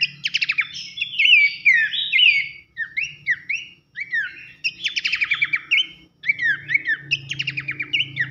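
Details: Abbott's babbler masteran with nembak and loud nyiul, for tutoring songbirds: dense staccato trills of clicks alternating with bright whistled downslurs, phrases broken by two short silences, low background hum.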